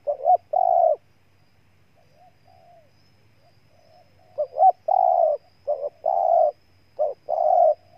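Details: Spotted dove in Ninh Thuận, Vietnam. One coo phrase is followed by a pause with soft, faint trailing notes, then three more phrases: paired short notes and a long, rough coo, repeated at a steady pace.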